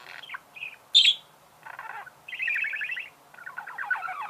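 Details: Pet budgerigar chirping: scattered short buzzy notes and a shrill squeak, followed by two longer rattling warbled trills.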